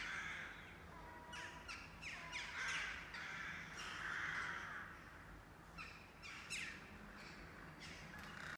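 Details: Crows from a colony over city rooftops near Blücherplatz in northwest Kiel, Schleswig-Holstein, Germany; several birds give harsh, rasping caws in overlapping bursts throughout, some nearer and louder, over a steady low background hum.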